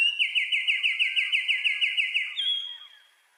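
A wren sings a fast, even trill of about fourteen high, bright notes over two seconds, then ends on a short, steady, higher whistle.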